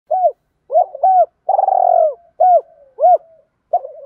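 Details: Spotted dove cooing in the 'thổ pha' voice style, calling females and provoking fights: a run of short arched coos and one long, drawn-out buzzy coo, all low and mellow, in clean quiet surroundings.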